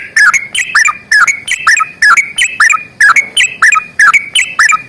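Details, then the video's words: Energetic 'gacor tarung' sooty-headed bulbul song in the long rapid 'ropel panjang' style, used to stir idle birds: steady chain of bubbly two-part whistled phrases, about two per second, loud and distorted. "trucukan gacor tarung ROPEL PANJANG"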